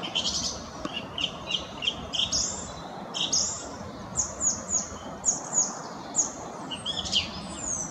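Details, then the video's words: Song thrush (Turdus philomelos) singing, a species known for repeating a short melody three times; loud, varied whistled and chirpy phrases in quick succession, several repeated, high-pitched over a soft background hiss. "Song Thrushes sing"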